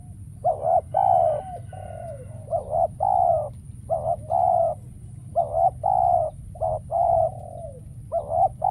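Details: Spotted dove used as a trapping decoy, calling while wild birds fail to appear: repeated soft, hollow coos in paired and single bursts with brief gaps, steady low hum underneath, and a faint higher chirp early on.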